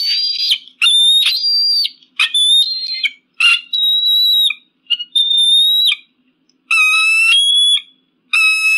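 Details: Repeated shrill eagle screams, long level whistled cries with rich harsh overtones, some starting with a grating burst, about one every second and a half with brief silences between.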